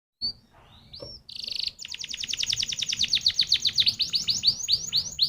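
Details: Canary song used as a lure recording to prompt other canaries to sing; after a couple of thin whistles, a buzzy block gives way to a fast rolling trill of high, repeated downslurred notes that grows louder.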